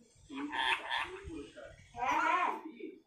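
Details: Pet Indian parrot talking in a greeting, kept indoors: two raspy, speech-like voiced bursts about a second apart, the first choppy and broken, the second a longer nasal phrase, with faint room sounds between.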